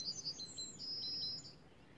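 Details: A Yellowhammer sings at Breuvanne on 11 March 2017: a quick run of high, thin repeated notes ending in a longer, drawn-out wheezy note, over faint background hiss.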